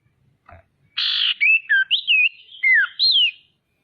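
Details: Female common iora calling as a lure for rival birds: a harsh buzzy burst, then a string of clear whistled slurs, some rising and some falling, in a lively broken phrase.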